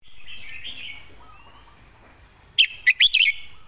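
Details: Red-whiskered bulbul tutor bird singing with clear wording and good phrasing; after soft background warbling comes a sudden bright phrase of four bouncy, liquid whistles rising and falling.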